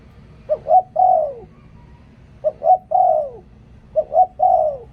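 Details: Spotted dove kept as a decoy bird, cooing in a phrase of two short clipped notes followed by a longer, drawn-out coo that falls at the end. The phrase is repeated three times over a low background hum.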